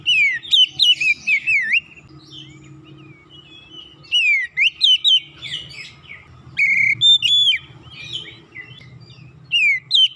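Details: Oriental magpie-robin (kacer) singing eagerly in gacor style after a single lure sound ended its silence. Clear whistled phrases of swooping and dipping notes come in three bursts over a low steady hum.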